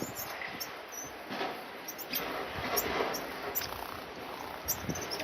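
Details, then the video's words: An orange-breasted sunbird in Africa gives short, thin, high chips at irregular intervals over a steady hiss of background noise. "Orange-breasted Sunbird"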